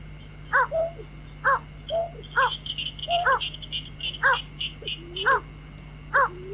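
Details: White-breasted waterhen call used as a lure for night trapping: loud harsh double-banded notes repeated about once a second, alternating with lower rising-falling moans, with a run of high short chirps and a steady electrical hum.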